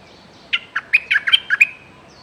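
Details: Caged decoy bulbul, used to lure wild birds, calling threateningly: a rapid run of about eight short, sharp chirps over roughly one second, with a faint high whistle afterward and quiet background.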